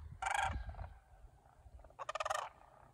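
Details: Local cranes in Homer, Alaska, on September 9, 2023, restless before migration and taking practice flights: two loud bursts of rolling, rattling, trumpet-like calls about two seconds apart, with quiet low rumbling between them.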